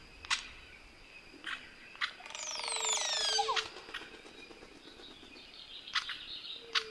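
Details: Crested oropendola, also known as cornbird: a loud, liquid, gurgling phrase sweeping downward with layered overtones for about a second and a half. Short sharp clicking notes come before and after it, over a steady high insect hum.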